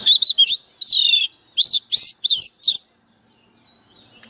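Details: Oriental magpie-robin decoy bird singing with fierce intensity: quick clipped notes, a long buzzy warbled phrase, then four loud arched slurs in quick succession before silence.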